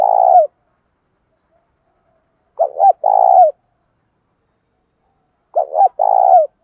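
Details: Fight-provoking coos of a decoy spotted dove, 'giọng thổ pha' style: a phrase ending at the start, then two clean phrases roughly three seconds apart, each a stuttered double note leading into a long, slightly falling coo.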